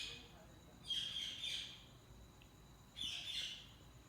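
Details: Budgerigars chirping: two bursts of bright, high, scratchy warbling chatter about two seconds apart, with quiet pauses and a steady low background hum.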